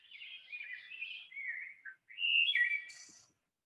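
A wood thrush sings two fluty, warbling phrases; the second ends in a high, buzzy trill. The background is otherwise quiet.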